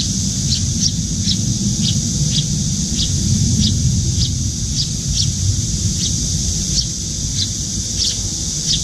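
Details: A young Eurasian tree sparrow begs from its parent at a windowside feeding station, and the parent puts food into its open beak. Evenly spaced high chirps sound over a low rumble and a steady high hiss.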